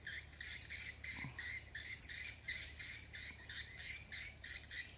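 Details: Swiftlets on Koh Samui, Thailand, giving rapid, high, buzzy chirps, about three each second in an uneven but steady stream, over a faint low hum.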